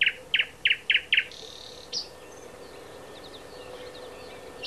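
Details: Thrush nightingale singing at Háj near Turčianske Teplice, Slovakia: five loud, clipped knocking notes spaced evenly, then a buzzy drawn-out note and a single sharp click, with faint distant chirps and background hiss afterwards.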